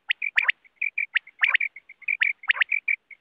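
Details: Wild quail sound used in net hunting. A fast, busy series of sharp high notes and short rough bursts mixes with repeated small clear pips, nearly continuous.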